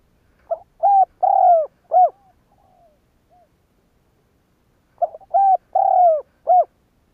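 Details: Spotted dove cooing, meant to provoke other doves to call: two matching low phrases about four seconds apart, each a quick stutter, two drawn-out mellow coos and a short closing coo, with faint soft notes between them.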